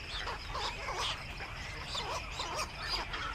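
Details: Black-crowned night herons returning to the nest in the evening: a chorus of harsh, squawking croaks overlapping from several birds, steady low rumble of background noise throughout.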